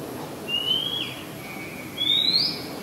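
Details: Oriental magpie-robin in Ubon Ratchathani, Thailand, on 2 July 2022, singing two pure whistles that rise in pitch about one and a half seconds apart. A faint low background murmur is present.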